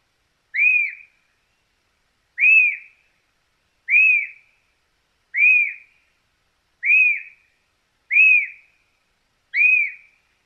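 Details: Argentine White-crested Elaenia whistling a steady series of seven short, falling, clear notes spaced about 1.3 seconds apart, with no other sounds.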